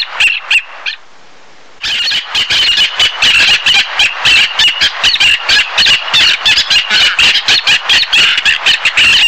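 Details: Black-naped tern: a few harsh squawks, a second-long pause, then a dense run of rasping, high calls, about four a second, overlapping and uneven, as from several birds calling together.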